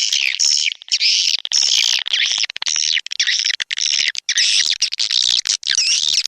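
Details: Swiftlets in SP Anak Gembala, an Indonesian outdoor lure sound played at swiftlet houses in Sóc Trăng and Đắk Nông: high chattering twitters in repeated bursts, roughly one or two a second, separated by brief clicks and pauses.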